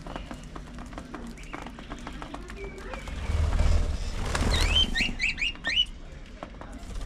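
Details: Pet budgerigars during early morning feeding time: a quick run of short, rising, chirped notes near the end, set against steady low rumble and scattered clicks and taps.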